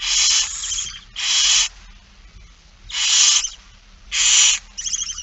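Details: Begging barn owl at feeding time, 8 September 2019, 16:02: four loud, broad rasping hisses, each around half a second, irregularly spaced, ending in a short fluttering chitter.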